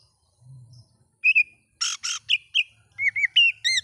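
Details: Oriental magpie-robin song for provoking other magpie-robins: a few short whistles, a pair of harsh rasping notes, then a quick sequence of bright whistled chirps with upturned endings.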